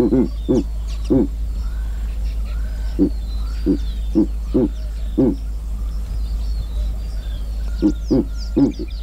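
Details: A giant eagle-owl in Kruger National Park utters deep hooting grunts in irregular clusters of two or three, separated by short pauses. Faint whistled birdsong runs underneath.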